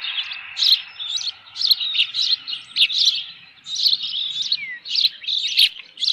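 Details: Osprey calling at the nest on 25 May 2018 as an intruder appears: a hurried, irregular series of high squealing chirps, about one a second, each short and slightly buzzy, with a thin falling whistle midway.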